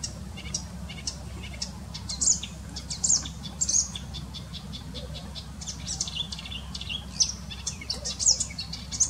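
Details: Marsh or reed warbler singing energetically in its natural habitat, a steady, scratchy chatter of high chirps and quick notes with brighter phrases every second or so, over a low rumble of wind.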